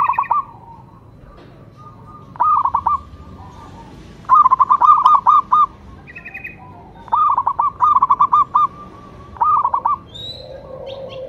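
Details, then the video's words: Repeated singing by a local zebra dove: several separate bursts of fast, rippling cooed notes, each a second or less, spaced irregularly across the recording. "cukup sekali dengarkan perkutut lokal ini manggung"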